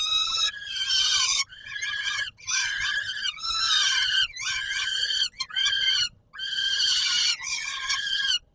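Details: Warsaw, Poland, Palace of Culture and Science, 17 July 2022, feeding time: a peregrine falcon gives loud, rasping screams, some long and some clipped, with brief silences between groups.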